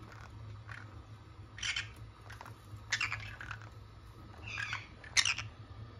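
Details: Two pet green-cheeked conures give harsh, grating squawks in short bursts every second or two, over a low steady indoor hum.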